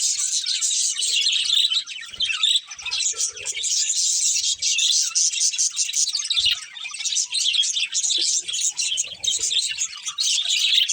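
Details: A breeding pair of budgies keeps up a continuous high chirping chatter, with warbling notes running together and short breaks, while faint low sounds and a hint of voices sit underneath.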